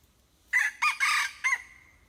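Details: Crow of a hybrid junglefowl in four parts: a sharp first note, a brief second, a sustained raspy middle section and a closing syllable drawn out into a faint, level trailing tone.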